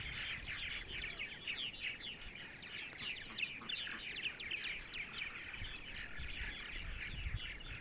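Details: Purple martins calling together on a sunny Sunday morning in central Ohio: a continuous stream of quick, warbling chirps and gurgles, many birds at once, with light background rumble.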